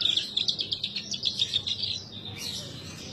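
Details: {'0': "Captive Horsfield's bush lark in lively gacor song: a quick series of high, thin chirps and trills repeated rapidly, fading after about two seconds."}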